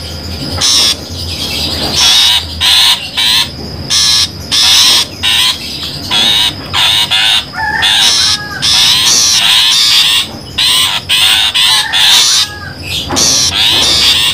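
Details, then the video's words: Long-tailed shrike lure sound for bird trapping, a long run of grating, buzzy bursts with short gaps, some notes sliding and warbling, with a faint constant high tone behind them. "suara pikat burung pentet"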